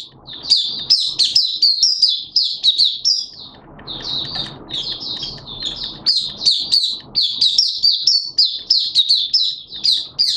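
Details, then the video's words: Open singing from a caged Malaysian white-eye, June 2023: continuous high, bright twittering of rapid sweeping chirps, briefly interrupted by a soft noisy pause before the chatter resumes. "Malaysian Mata Puteh Buka Sing"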